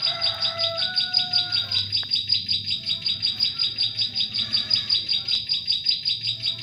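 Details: Bar-winged prinia singing for use as a forest trapping lure: shrill, evenly spaced chirps at a quick steady pace, with lower whistled phrases from another bird in the first two seconds.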